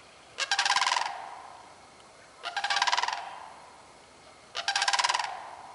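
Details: Sandhill crane on 30 March 2015 calling three times, each a loud, rolling, trumpeting rattle of rapid pulses about half a second to a second long, spaced roughly two seconds apart, over a steady faint background hiss.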